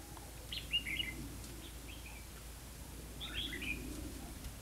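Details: Red-whiskered bulbul at a trapping spot in Hòa Mạc, Hà Nam, Vietnam: two clusters of quick chirped, slurred notes about three seconds apart, with a few softer notes between them and low background noise.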